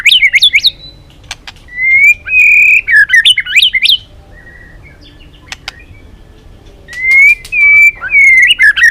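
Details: White-rumped shama, Balak 6 type, lure song for catching birds: quick zigzag whistled notes, steady level whistles, a soft pause with clicks, then level whistles and rapid chirps again.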